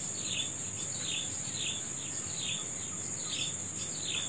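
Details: Birds at dawn-time repeating sharp little down-slurred chirps in a regular rhythm, with an unbroken piercing insect hum throughout.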